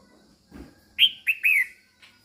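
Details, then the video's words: Singing female red-whiskered bulbul stimulating males: a faint rustle, then a crisp three-note whistled phrase, two quick falling chirps and a drawn-out warbled note, ending with a soft click. "Chào Mào Mái Kích Trống Căng Lửa"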